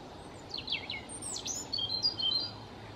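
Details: European robin (Erithacus rubecula) song: a varied phrase of very high, thin whistles, sliding notes and quick trills over a soft, steady hiss of background noise.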